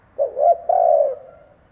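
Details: Spotted dove decoy cooing for luring wild birds: a single soft low phrase, two brief notes and a longer sustained coo that tails off.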